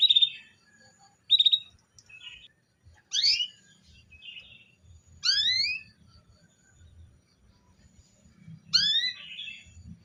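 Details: Female canary luring a male to sing: short twittering notes lead into three strong rising harmonic calls about two to three seconds apart, with a faint low rumble underneath.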